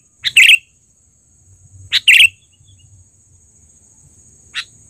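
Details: Sooty-headed bulbul, a trained bird in loud lure call, delivering two emphatic bubbly phrases about one and a half seconds apart, then a lone chirp after a long gap, with a steady thin high tone.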